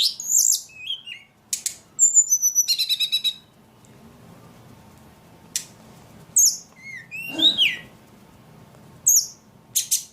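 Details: Ledekan bird, said to sing very actively, giving scattered high chirps, a short rapid trill and sweeping whistles separated by quiet gaps of a few seconds. Faint hum in the background.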